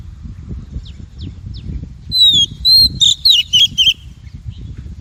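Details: Female Oriental magpie-robin call, used to stimulate and train males and to lure them into traps: faint thin whistles, then a loud run of clear high whistled notes, some sliding and downslurred, over low rumbling noise.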